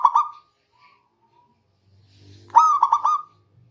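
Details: Local zebra dove singing to summon rivals. The close of one phrase opens the recording, then after a pause with a low hum comes a full phrase of four rapid, rolling cooing notes.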